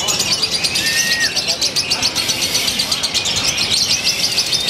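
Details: Lovebird from Purwakarta, Indonesia, a contest bird with a new eccentric style and ever tighter pauses. Its song is a dense, continuous high chattering trill of rapid buzzy chirps, with a brief thin whistle in the background.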